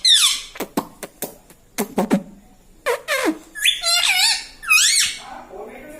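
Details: Pet parrot talking in a small room, known for mimicking "mitthu" and "mummy": a run of sharp clicks and taps gives way to several rising-and-falling harmonic syllables near the end.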